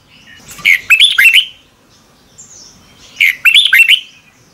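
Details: Red-whiskered bulbul song in the morning, made as a lure for training birds, two lively phrases of fast, rolling whistled notes about two and a half seconds apart, with a brief soft note between.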